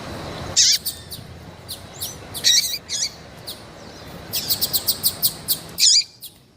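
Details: A female Double-collared Seedeater in heat calls eagerly to stimulate a male. A few loud, squeaky chirps come first, then a quick even series of about eight short ticks, and finally one strong chirp.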